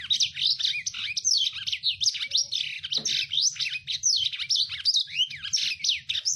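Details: Nonstop gacor singing by a lemon-breasted canary, a finch-family bird whose rough, rapid song is used to train captive birds: high chirps, rattles and steep slurs packed tightly together, over faint low hum.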